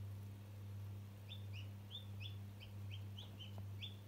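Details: One-day-old chick addressing a toy utters a steady run of short, slightly downslurred peeps, roughly three per second, against a continuous low humming background.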